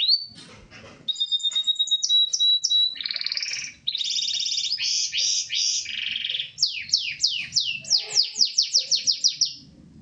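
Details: Corona Gloster canary in lively song: a thin steady whistle leads into loud buzzy rolled phrases, then a cascade of quick downward-sliding chirps repeated several times a second.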